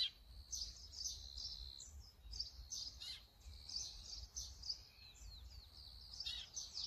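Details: Brown-eared bulbul, recorded with a Sony camera and zoom lens, giving varied high squeals and sliding whistles in quick succession, some notes drawn out and level, others falling.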